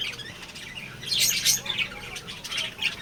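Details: Lovebirds, including young birds, in a colony give harsh, high squawks that come in a loud burst midway, then scattered shrill notes over a steady background murmur.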